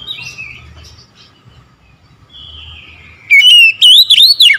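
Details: Oriental magpie-robin singing its chattering ocehan song in the morning: soft, drawn-out whistles at first, then a loud burst of sliding, looping whistled notes in the final second.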